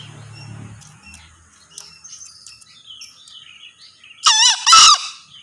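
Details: Crowing male green junglefowl: after faint bird twitters, a loud, rough two-syllable call ends the recording, the second syllable stronger and more strained.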